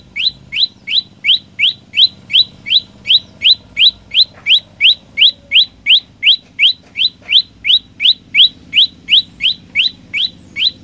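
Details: Loud, persistent olive-backed tailorbird song: a rhythmic run of about thirty rising chirps, nearly three every second, evenly paced throughout, with a soft low rumble beneath.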